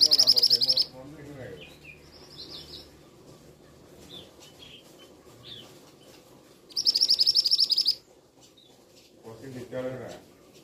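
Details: Male scarlet minivet calling in two shrill bursts of rapid, high, evenly spaced notes, each lasting about a second. Softer slurred whistles and chirps fill the gaps, and a lower rasping sound comes near the end.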